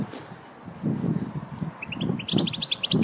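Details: European goldfinch sound used to stimulate other goldfinches to sing: after a low rumbling, muffled background, a quick series of short, bright chirping notes starts midway, stepping upward and repeating rapidly until the end.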